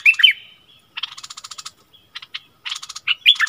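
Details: Captive streak-eared bulbul decoy bird, used to lure wild birds, giving bright, bubbly chirps and rapid trilled bursts in short high, clear phrases, with no other sounds; recorded 16 February 2021; Streak-eared bulbul.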